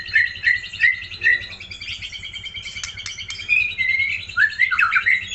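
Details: White-rumped shama from Aceh, repeated short whistled notes followed by a sustained buzzy trill and a closing flurry of quick rising and falling slurs, over a low background hum.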